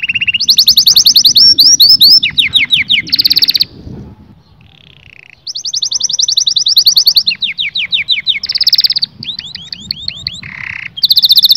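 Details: Strong canary song used to rouse males and females for mating: long rapid trills of high repeated notes, descending slurred phrases and buzzy bursts, broken by a short quiet gap before the trilling resumes.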